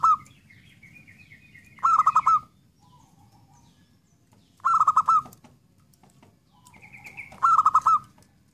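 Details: Zebra dove uttering loud, beaded coo phrases roughly every 2.8 seconds, with soft low notes between and faint higher whistles.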